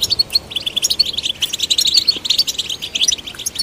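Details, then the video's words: European goldfinch singing to stimulate other goldfinches: rapid, dense tinkling twitter of short bright notes packed without pause, steady rhythmic chatter throughout. "Golden Songbird vocal performance to stimulate the goldfinch"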